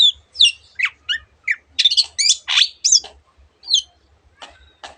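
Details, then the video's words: Long-tailed shrike sounding a varied string of squawky, slurred and rasping notes, some rising and some falling, delivered irregularly at a brisk pace, part of a song with many imitations of other birds. "cendet gacor masteran untuk burung yang susah bunyi banyak varian suara burung lainya"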